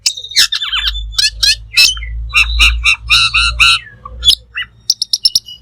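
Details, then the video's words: Black magpie (cucak keling) in full 'gacor' song for tutoring: harsh, rich chattering bursts and squawky notes over a steady low hum, ending in quick high repeated chips. "Suara Burung Cucak Keling Full Gacor"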